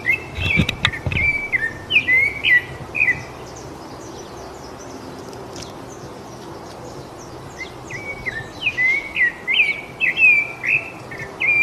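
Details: Rufous-bellied thrush singing: bursts of clear, warbled whistled notes, each briefly rising then falling, strung into rapid phrases for about three seconds, a long quiet pause, then another run of phrases. A few low thumps near the start.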